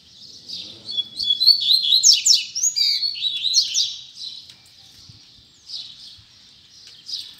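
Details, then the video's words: Caged double-collared seedeater singing in the Tui Tui Zel Zel style, a fast run of bright whistled and warbled notes with rapid frequency sweeps for about four seconds, then quieter fragments; faint low noises underneath. "Coleiro Tui Tui Zel Zel Lindo"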